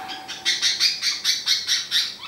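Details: A pet budgerigar, handled during a vet examination for respiratory noise and tail bobbing, gives a rapid series of harsh, rasping squawks in distress just before a crop wash.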